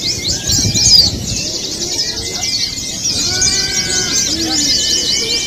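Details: Pleci (white-eyes) in a simulated song competition, played as therapy to coax birds into singing: continuous thick high-pitched twittering from several birds, fast slurred chirps layered together, with a low background murmur.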